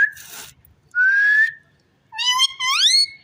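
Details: Rose-ringed parakeet talking: a harsh noisy burst, then a long steady whistled tone, then a rich, rising, speech-like phrase ending higher.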